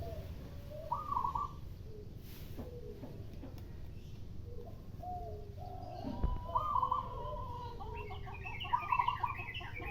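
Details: Morning exchange between a local zebra dove (perkutut) and a spotted dove (derkuku), with people sweeping. Three quick, trilled bursts of high staccato cooing, interleaved with deeper mellow coos, some faint higher chirps from other birds, and continuous low background noise.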